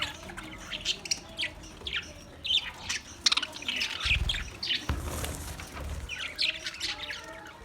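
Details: Budgie chirping and warbling in quick varied notes, with short scratchy squawks and a few low thumps partway through.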